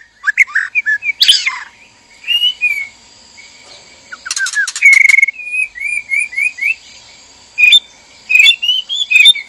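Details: Male and female white-rumped shama kept in a breeding cage, singing to spark mating: quick whistled notes and buzzy rattling bursts, then a steady whistle and repeated short slurred phrases.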